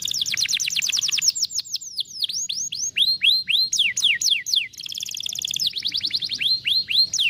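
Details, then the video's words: Canary singing to stimulate a lazy canary: long rapid trill, then rhythmic whistled notes dipping and rising, followed by a buzzy rolled section and further fast repeated slurs. "som de vara de pescar canário preguiçoso"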